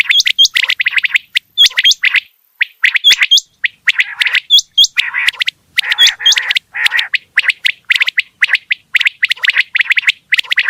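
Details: Quail calling in a dense, continuous chatter of short sharp chirps between mid and high pitch, interspersed with paired high hooked notes that repeat throughout; no other sounds.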